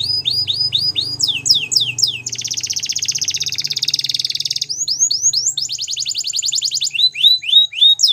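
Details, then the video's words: Waterslager canary singing a varied song: repeated falling whistled notes, a long dense rolling trill of over two seconds, more falling notes and another fast trill, with a faint low hum behind. "Canary Waterslager Singing"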